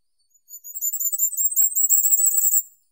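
A Firecrest sings a very high, thin, rapid run of sibilant notes that accelerates and lasts about two seconds, with nothing else heard.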